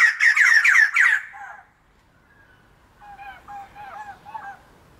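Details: White-crested laughingthrush (Garrulax leucolophus), one of a kept, affectionate pair, gives a loud burst of harsh, rapid chattering notes, then after a pause a softer run of looping whistled phrases; song.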